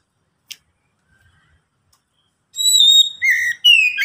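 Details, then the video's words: After a single click and near silence, an Oriental magpie-robin bursts into song, a lure to make others sing: a long pure whistle, then quick warbled phrases of slurred notes. "Pancingan Kacer agar cepat bunyi"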